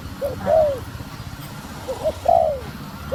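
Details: Female spotted dove cooing to excite a male: two short phrases of low, mellow coos, a quick lead-in note followed by a longer swelling, falling coo, against steady low background noise.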